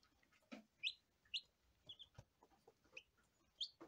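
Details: Peeps from day-old lavender Ameraucana chicks, single piercing chirps roughly twice a second, irregularly spaced, with light knocks and scratching in the background.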